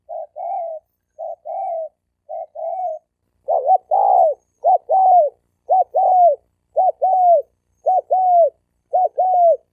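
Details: Spotted dove males, wild-caught birds, trading challenge coos before a fight. Two voices overlap, each giving a brief note then a drawn-out descending coo. The pairs repeat steadily and grow louder and more rapid halfway through.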